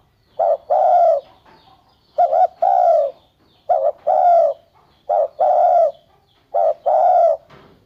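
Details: Spotted dove calling steadily: five phrases in eight seconds, each a short clipped coo, sometimes doubled, then a longer mellow coo, with brief faint notes between phrases and no other sounds.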